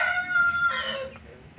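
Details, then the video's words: Hen crowing, zoomed from far away because she runs off if approached: the tail of a crow, a held harmonic note that drops and trails into a hoarse fade. "ayam betina berkokok"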